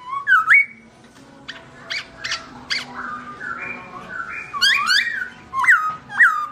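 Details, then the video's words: Melodious song of a black-throated laughingthrush (Garrulax chinensis) left alone by its owner. Loud whistled phrases rise and drop in quick succession, with short sharp chirps between them and a soft low hum underneath. "Bird Garrulax chinensis: Birdsong Chirping Melodious When The Owner Is Away"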